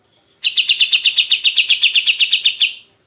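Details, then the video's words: Greater green leafbird (cucak ijo) masteran sound, said to set a leafbird into jantrok: a fast, even trill of about seventeen sharp, high chipping notes, four per second, lasting over two seconds and then stopping cleanly. "CUCAK IJO Auto JANTROK denger Suara Masteran ini"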